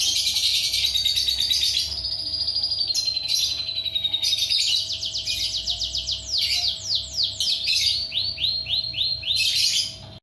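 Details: Lovebird song, long rapid chattering trills, buzzy and high, with fast repeated notes and sweeping descending phrases running almost continuously, over a steady low electrical hum.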